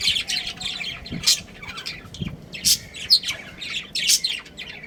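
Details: Budgie breeding pair chirping: quick scratchy warbles mixed with sharp, loud squeaky notes, several bursts a second, with a soft low thump or two beneath.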